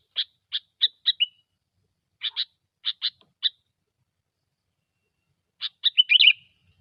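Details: Sooty-headed bulbul, vocal bird used as a lure: bursts of short, bright chirped notes in quick series, pausing between groups, ending in a tumbling run of bubbly notes; otherwise silent background.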